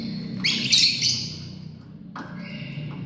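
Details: Lovebird family calling: a long grating screech that fades out, then a sharp shorter harsh call about a second later over steady low-pitched background hum.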